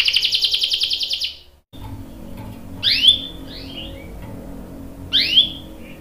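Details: Canary lure singing to draw a reply: a quick high trill that cuts off, a pause with faint room hum, then two separate sharp rising-then-falling whistled calls.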